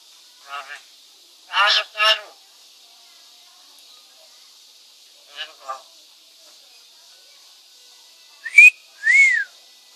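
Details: Talking myna in Tagaytay, Philippines, uttering short speech-like phrases near the start and middle, then two loud whistled notes, one sharply rising and one arched, toward the end over a steady high hiss.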